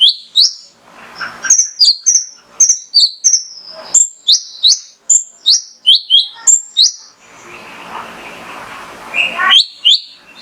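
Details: Vigorous song of a male mangrove whistler, used to get other birds singing: a long chain of high rising and falling whistles, nearly three a second, then a noisy rustling pause before whistling resumes.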